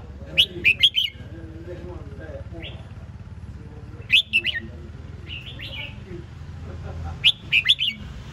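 Red-whiskered bulbul giving short bursts of bright, bubbly whistled notes, a phrase roughly every three seconds, over a low steady hum.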